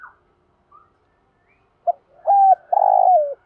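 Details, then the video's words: Spotted dove lure call for provoking other doves, a brief faint note near the start, then one phrase: a short note, a level coo and a long hoarse coo falling at the end. "tho pha thuc gu mồi 5 củ/ tiếng chim cu gáy kích bổi mới hiệu quả nhất hiện nay"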